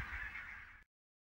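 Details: A barnacle goose at Niittylahti, Savonlinna, Finland, on 5 October 2017 gives a short, sharp, yapping honk under a second long that ends abruptly, over a low rumble of wind.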